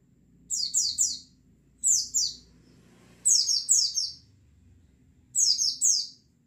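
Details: White-eyes in a flock, played to coax birds into lively song: four evenly spaced groups of three high, sliding, falling chirps, steady background hum between them.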